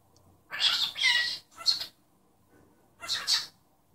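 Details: Pet cockatiel talking and imitating its owner's sneeze: bursts of harsh, hissy chatter with short sharp sneeze-like explosive notes, then a pause and a final two-part breathy burst.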